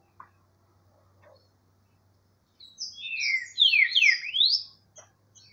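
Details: Great thrush, called trinca-ferro verdadeiro, singing a rich burst of whistled notes, rapid overlapping downslurs and upsweeps lasting about two seconds, preceded and followed by short faint clicks, with a faint low hum.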